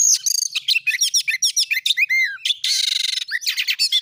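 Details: Energetic 'gacor nembak' song of an oriental magpie-robin, used as a lure to set other magpie-robins singing: a dense run of sharp chips, slurred whistles, then a long harsh buzzing rattle and quick bright notes.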